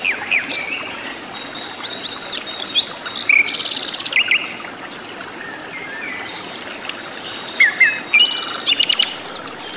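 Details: Wild sikatan londo flycatcher singing energetically in its native habitat: bursts of rapid, high-pitched chirps, quick sweeping whistles and dense buzzy trills, separated by short pauses, over a steady background hiss like running water.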